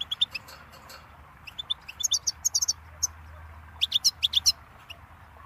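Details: Goldfinch singing a rapid, varied twitter of high chirps and sharp, bright, buzzy notes, delivered in bursts separated by brief pauses, with a faint low hum beneath.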